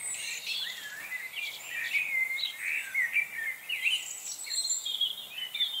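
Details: Chickadee frenzy on November 25, 2020: a crowd of high chirps, sliding whistles and short buzzy notes from many birds overlapping, rising and falling in loudness throughout.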